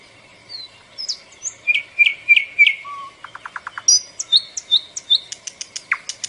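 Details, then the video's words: Soft chirping bird with repeated falling whistled notes, a quick row of clicks, and a string of short bright rising chirps. "Sound of Bird."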